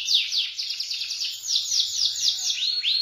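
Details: Energetic canary tutor song, rolling and high-shooting type: a dense, fast rolling trill held high throughout, closing with two arched rising-then-falling notes.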